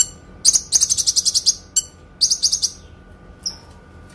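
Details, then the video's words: Clear Kinoi song for training songbirds at home. A fast, high, ringing trill of a dozen even chirps runs for about a second, followed by a shorter trill of rapid notes and a lone thin whistle. "MASTERAN.... TEMBAKAN PANJANG, SUARA JERNIH BURUNG KINOI..."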